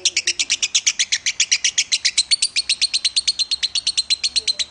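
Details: A lovebird, a competition bird, gives a long, rapid run of sharp, high chirps, about six a second, steady and evenly spaced throughout; a master recording of lovebird song.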